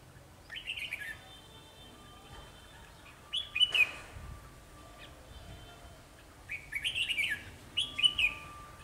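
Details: A Kim Bôi decoy Red-whiskered bulbul sings to draw wild bulbuls toward a trap, sunny and windy, 12 October 2020: four lively, clear warbled phrases in two pairs, each lasting under a second, with faint thin whistles and light wind between.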